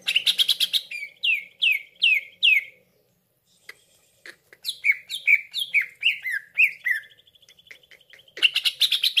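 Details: Cucak ijo voice played as a trapping lure: bursts of harsh chatter alternate with loud downslurred whistles repeated in quick series, a thin sustained trill between phrases, then a short pause before more chattering and slurred notes.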